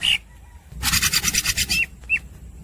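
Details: A greater green leafbird, or cucak hijau, singing gacor: a short whistled note, then about a second of dense buzzy rasping pulses, followed by two brief slurred whistles.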